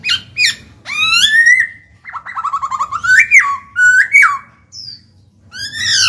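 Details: Caged Black-throated laughingthrush singing to stimulate other birds: varied song mixing sharp chips, long rising whistles and a stuttering series of quick notes climbing in pitch, then harsh calls.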